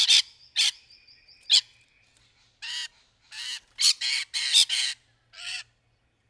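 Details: Courting rainbow lorikeets in trees: a few sharp screeches over held whistled tones, then a rapid run of coarse, rasping squawks.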